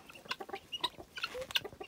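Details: Helmeted guineafowl near a newly hatched keet brought back from the nest by its mother, giving short, sharp, chirpy clucks in quick irregular bursts, with brief pauses between groups.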